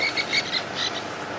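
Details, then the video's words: Francolins give a harsh, scratchy alarm call with short repeated notes near the start, over steady hiss, during a 4:30 PM safari drive on July 9, 2016, in Djuma Game Reserve. "Those francolins are alarm calling."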